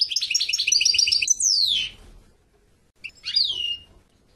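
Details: European goldfinch song: a fast, buzzy, tinkling twitter ending in a loud downward-sliding whistle. After a short pause comes a brief note and a second descending slur.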